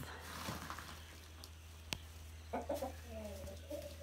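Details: Backyard chickens on a country property, hanging out on wood planks in their pen under heat lamps, give a few short, nasal clucks in the last two seconds over a steady low hum and soft background noise.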